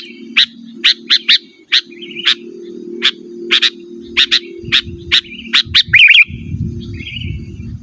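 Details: Sooty-headed bulbul, a lure recording for calling wild rivals and tutoring caged birds: crisp chirps, singly and in pairs, repeated roughly every half second, a brief bubbly trill near the end, with a low hum and rumble underneath.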